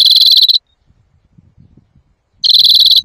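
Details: Loud greenfinch song, played for trapping and for teaching young birds: a rapid buzzing roll that ends abruptly, a quiet gap of almost two seconds, then the same harsh trill starting again.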